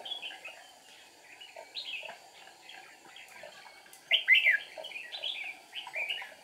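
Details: On 8 April 2019, a decoy red-whiskered bulbul sings during trapping to provoke wild rivals, flicking wings and tail; a run of short fluty phrases repeated steadily, peaking in a loud warble past midway.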